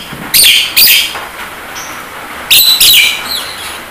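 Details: Javan myna, recorded as a training track to make birds sing and talk: harsh, scratchy, high notes in two pairs a couple of seconds apart, over a faint background hiss.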